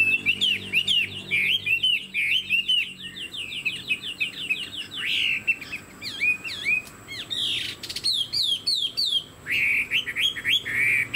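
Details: Energetic caged Chinese hwamei with fanned tail: long varied song of rapid repeated whistled notes, bursts of buzzy phrases and brief pauses, with slight background clatter.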